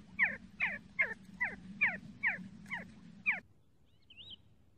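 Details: A See-see partridge (Ammoperdix griseogularis) gives eight sharp, downslurred whistled notes, about two a second, over a steady low hum; a faint chirp from another bird follows.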